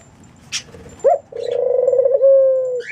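A pigeon coos low and soft: a short rising note, then a long, throbbing, burbling coo held for over a second. A brief high rustle comes before it.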